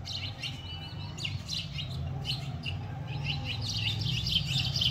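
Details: House sparrows (gauraiya) chirping in the morning at a home where they are given shelter, food and water; busy overlapping bright chirps and tweets, rapid and continuous, over a low steady background hum.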